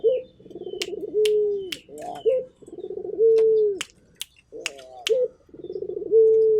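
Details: Local turtle dove in full voice repeats its coo three times, each a grainy rolling build-up ending in a long flat hoot, separated by brief rising notes, with sharp clicks in the background.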